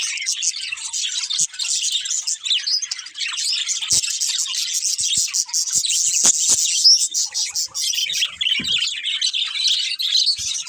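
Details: Flock of budgerigars in continuous high chatter, rasping chirps and fine whistled twitters running throughout, punctuated by a few sharp clicks.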